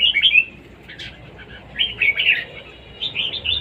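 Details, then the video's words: Red-whiskered bulbul in competition singing: three bursts of bright, warbled, chirpy phrases, quick and rising and falling, separated by short pauses, over a faint low hum. "chào mào đấu siêng ché"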